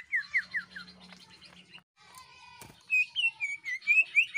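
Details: Greater green leafbird in full, vigorous song with shrieking phrases, used to spur other birds into singing. Four descending whistled slurs come first, then a quiet buzzy stretch with a brief silent gap. A loud run of rapid rising-and-falling whistles follows.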